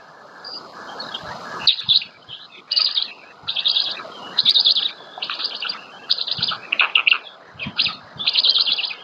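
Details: At a black stork nest near Łódź, Poland, 27 May 2020, the female feeds her chicks. After a soft start, busy, high chirping notes come in runs of short bursts, some rising and falling, continuing to the end.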